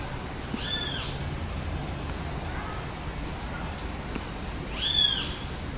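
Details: Golden-crowned warbler (Basileuterus culicivorus) recorded at the botanical garden in São Paulo, Brazil, on 21 January 2016, gives two short, bright, arching phrases about four seconds apart, high and slightly buzzy, over a steady low background hum.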